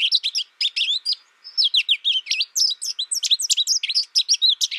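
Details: An American goldfinch (Spinus tristis) sings a rapid, high, twittering song of varied sweet notes and short trills, bubbling along almost without pause.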